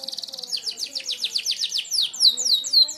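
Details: Merlok canary delivering sharp-shot song used to tutor other birds, a fast shrill trill that slows into a chain of sweeping downslurred whistles, each note bright and high.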